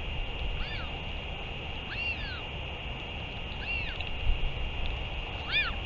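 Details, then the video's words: Northern royal albatross during a return and feeding on 31 May 2023: four high, arched calls, each sweeping up then down, spaced about 1.5 seconds apart over a steady tonal hum and low rumble. "Northern royal albatross 31 05 2023 4 ~ L return & feeding"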